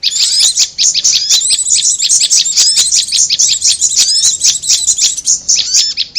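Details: Prinia lure sound mixed with korlap: fast, shrill chipping in dense clusters, with a few downslurred notes among the chatter.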